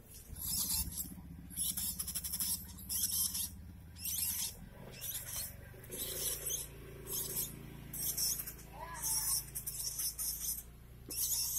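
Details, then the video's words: A one-month-old lovebird chick being hand-fed gives harsh, raspy begging calls in bursts about once a second over a low background hum, with brief human laughter. "Meloloh anak love bird usia 1bulan Baby Bird"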